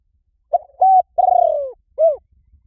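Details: A four-part spotted dove coo used to attract wild doves. It opens with a short clipped note, then a level held note and a long burring note that sinks in pitch, and ends with one rounded falling coo. No other sounds are audible.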